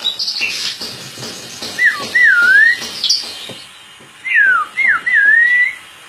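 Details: Contest-champion white-bellied shama (kacer poci) at the 2017 Bupati Cup delivers clear, sweeping whistled slurs in two groups, each with falling and rising notes, against background chirping from other contest birds.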